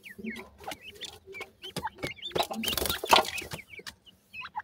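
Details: Chicks of the grey francolin, or gora teetar, from India: thin rising and falling peeps repeated quickly, interrupted midway by loud rustling, scraping bursts close to the recorder.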